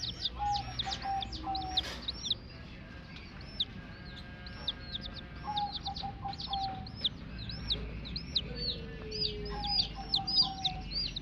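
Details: Baby chicken chicks peeping constantly, a flock of overlapping high, short hook-shaped chirps nearly twice a second, with steady low hum and faint thin tones beneath.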